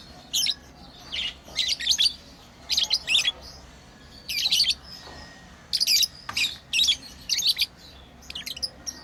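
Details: Pet lovebirds playing, giving sharp high chirps in short clustered bursts roughly every second, some bursts quick double or triple notes, over a quiet low background hum.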